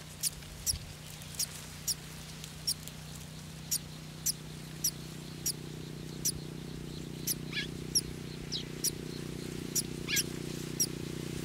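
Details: Nestling golden sparrows awaiting food give a steady run of short, high, ticking cheeps roughly every half second, with a couple of longer, downslurred squeaks near the end. A low droning hum runs throughout.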